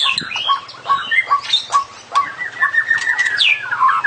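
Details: White-rumped shama, caged songbird, delivering a full varied song: rich whistled phrases and quick chirps sliding up and down, with a rising whistle near the end, sung loud and close with little background.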